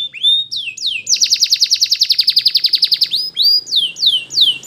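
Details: Belgian canary singing for training: rising whistles open into a long rapid trill of about twenty-five pulses, followed by loud repeated downward-sweeping notes.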